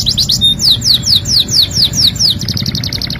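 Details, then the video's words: Canary singing, a training song for song birds: a run of fast descending whistled sweeps repeated about twice a second, then a buzzy rattle, over a low background rumble. "MASTERAN KENARI GACOR | CANARY SINGING"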